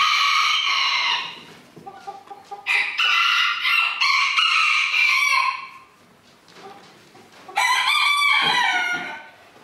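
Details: Roosters at a 2022 crowing contest organised by a small-livestock breeders' club in Villers-la-Ville: several loud, harsh crows with strong harmonics follow one another and overlap, with short quieter gaps of fainter crowing between them.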